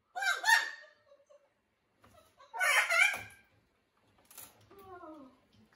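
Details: Jubilee hybrid macaw kept indoors, becoming more vocal in a new environment: harsh, grating squawks in bursts with quieter gaps, ending in softer, wavering, laugh-like notes.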